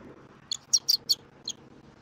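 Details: Bald eagle eaglet snuggling under its mother at a Southwest Florida nest, filmed by a live nest camera on 27 January 2024; a quick run of four thin, high chirps followed by one more, over a faint steady hum.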